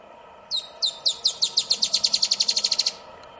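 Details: Rusty-backed antwren in Rio Grande do Sul, Brazil, recorded 4 October 2016, singing a high, thin series of about eighteen sharp notes that start slow and accelerate into a fast, even trill lasting about two and a half seconds.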